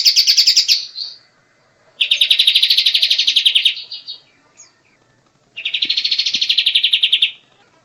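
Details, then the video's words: Three bursts of bright, very rapid trilling from a white-shouldered triller, each about one and a half to two seconds long and separated by short silent gaps. The bird sings clearly with no competing sounds. "SUARA ASLI BURUNG KAPAS TEMBAK"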